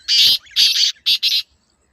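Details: Close, loud black francolin call: a rhythmic string of rough, buzzy, rasping notes, one long, a doubled pair, then two shorter clipped ones, ending in silence.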